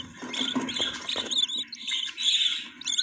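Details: Budgerigar nest holding chicks, filled with dense, overlapping chattering and thin high chirps that waver continuously, over a faint low murmur.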